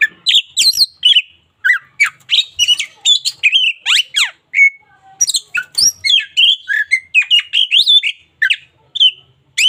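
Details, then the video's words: Local Oriental magpie-robin in full, energetic song: rapid run of sharp whistled notes, steep up-and-down sweeps and scratchy chips, phrases packed tightly with only brief pauses. "KACER LOKAL GACOR SUARA UNIK COCOK UNTUK MASTERAN HARIAN!"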